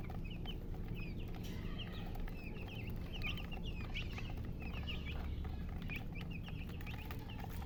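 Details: Hen chicken, locally called murgi, chirping: busy strings of short, high, falling peeps scattered throughout with brief gaps, set against a constant low droning hum.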